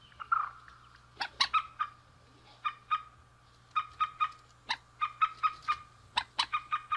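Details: Male and female rail, spaced single and paired nasal notes repeated roughly every half second, a few sharper loud notes mixed in, over a steady whistling tone and faint low hum.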